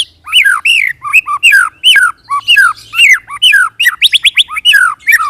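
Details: White-rumped shama singing as a lure to prompt other shamas to respond: steady stream of rich, slurred whistled phrases rising and falling, ending in quick upward-flicked notes, continuous with few pauses.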